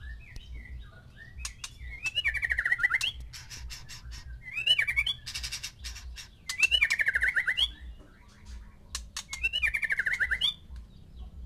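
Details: White-rumped shama in a breeding group of one male and six females, singing to arouse mating: rich phrases repeated about every two seconds, each with loud rattling bursts and a wavering whistled trill.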